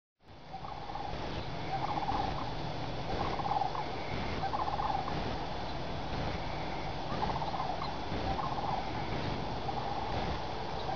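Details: At sunrise, a group of sandhill cranes flies over woods from their overnight roost toward feeding fields, giving rolling, rattling bugles in bursts about every second or two over a steady low rumble of wind.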